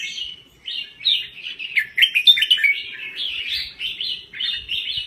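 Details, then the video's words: Red-whiskered bulbul from Thailand in continuous song. A fast, bubbly stream of slurred whistles and chirps, several notes per second, in quiet surroundings. "Kicau Burung Merbah Jambul Gacor"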